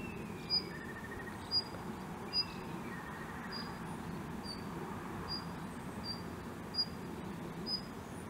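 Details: Male Daurian redstart, very tame and often seen at the same spot, coming close. Short, sharp, high ticks repeat about once a second, with a few faint thin whistles over a steady low hum.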